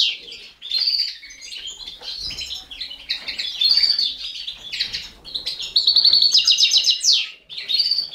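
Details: Begging from four baby canaries as a caged Balkan goldfinch feeds them: scattered high chirps building to a loud, rapid trilled burst that ends in a sharp upward sweep.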